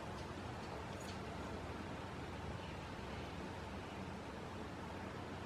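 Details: Steady low rumbling noise like distant traffic fills the recording, with no animal voice heard.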